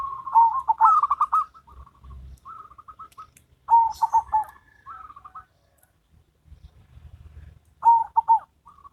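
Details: Zebra doves, a local bird and a crossbred bird in a duet, give bursts of rapid, bubbling coos around a fixed pitch, each phrase of quick repeated notes trailing into softer trills, with a low rumble beneath.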